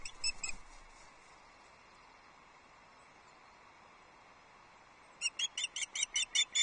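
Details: Female osprey at Loch Arkaig in the 2024 season, 6 July, calling at the nest for her mate, who does not respond; a brief burst of sharp high chirps, then a pause, then a run of about eight evenly spaced piping notes.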